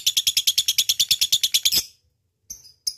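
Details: Lovebird calling a rival with a quick, shrill chattering trill of about fifteen rapid notes. The trill stops abruptly and is followed by two isolated high chirps after a pause.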